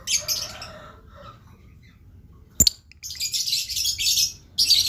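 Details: Blue lovebird in full lively song, giving dense, shrill, high chattering bursts at the start and again after a pause, with a sharp click between them and softer lower rasping notes early on.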